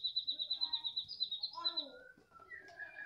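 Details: Medan White-rumped shama, afternoon: a rapid, even trill of high, sharp notes, about five per second, followed by lower rich whistles and a slurred descending phrase.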